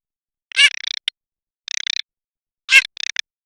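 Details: Garganey giving two harsh rasping notes, each followed by a run of fast dry clicks, with short silent gaps between.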